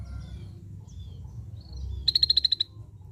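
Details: Scaly-breasted bulbul producing a single quick run of about nine sharp, high, evenly spaced ticking notes lasting half a second, after quiet faint chirps over a low background rumble.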